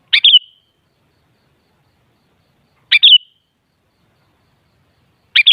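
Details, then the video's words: Kutilang, the sooty-headed bulbul, sings a brief, bright, gurgling two-note whistled phrase, repeated three times about two and a half seconds apart in otherwise clean silence. "Suara Burung Kutilang"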